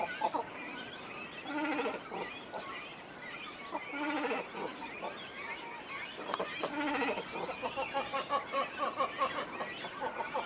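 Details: Great cormorants at a breeding colony with chicks, in trees around the Suginoki reservoir, Saku, Nagano, Japan, many birds calling to one another: harsh, nasal, wavering calls in overlapping bursts every few seconds over a busy colony din.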